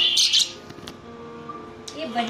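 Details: A pet budgerigar gives a quick burst of scratchy, high chirps, then a few softer warbling notes, over a low hum and faint voices indoors.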